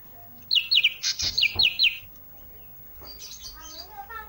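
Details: Olive-backed tailorbird (ranting) singing actively: a quick series of about eight sharp, high, down-slurred chip notes in two bursts, followed by softer mixed chirps and twittering from other birds.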